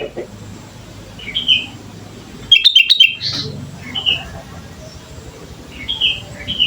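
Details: Sooty-headed bulbul song played as a lure: a few soft whistles, then a loud burst of quick chirps and a clear note, followed by further scattered whistled phrases over low background noise.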